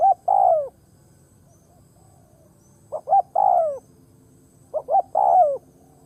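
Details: Spotted dove used as a ground decoy to draw in wild doves, cooing; three phrases, each two short rising notes then a long, falling, hooted coo, repeated about every two seconds, with a quiet low rumble behind.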